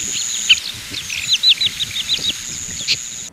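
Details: Oriental pratincole chattering: a rapid run of sharp, slightly downslurred chirps in the middle of the clip, framed by single louder notes, over a persistent high whine.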